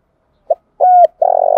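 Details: Spotted dove cooing as a lure call meant to attract wild birds: a short soft coo, a longer level hooting note, then a throbbing, slightly trilled coo, all low and mellow.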